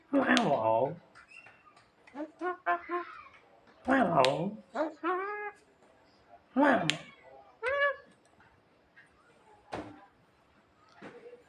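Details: Javan myna imitating a person coughing: four loud, harsh, voice-like bursts with stacked bending tones near the 0-, 4-, 6.5- and 10-second marks, separated by short clicks and quieter rising notes; indoor setting.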